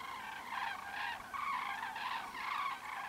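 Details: Repeated trumpeting calls from a common crane: harsh, nasal bugles pulsing roughly every half second, layered and overlapping as if from more than one bird.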